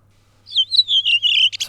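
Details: A nesting common starling singing with wing-flapping display, from a fence, the ground or grass, gives a wavering, slurred whistle that dips and rises for about a second, then ends in a burst of buzzy, clicking notes.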